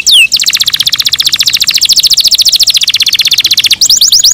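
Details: Morning song from canaries kept in captivity: a single high downslurred note, then a long dense buzzy trill of rapid repeated notes lasting over three seconds, ending in quick falling whistles.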